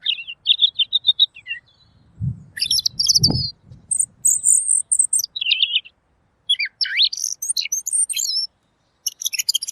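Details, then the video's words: Robin singing with a clear voice as a tutor recording for songbirds: fast varied chirps, buzzy high trills and sweeping whistles in tight phrases, broken by brief pauses, with soft low knocks in the middle. "masteran burung Robin!! suaranya jernih"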